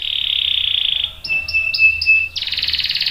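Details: Canary song intended to prompt other canaries: a steady buzzy trill, then a pure thin whistle with short overlapping chirps, then another rapid roll.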